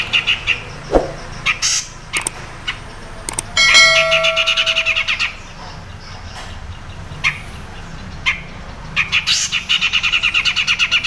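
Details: Grey-cheeked bulbul (cucak jenggot) in "crecet" chattering mode, used as a song tutor for other cage birds, gives rapid, harsh chattering bursts and scratchy high notes in quick irregular series, with a brief clear whistle partway through.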